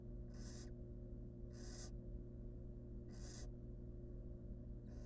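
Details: Wild barn owl mother with her chicks in a monitored nest box: quiet, breathy hisses, each lasting under half a second, come about every one and a half seconds over a steady low electrical hum.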